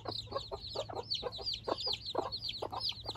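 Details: Newborn Silkie chicks out in the open for the first time alongside four hens, 24 chicks in total: a rapid stream of high, downward-curving peeps over short, lower clucking notes and a steady low hum.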